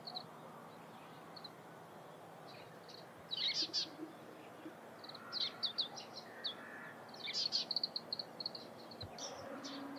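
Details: An Oriental greenfinch near Lake Hamana and Kanzanji onsen, Japan, in early morning gives high twittering calls in short bursts, some with a buzzy trill, over a low steady hum.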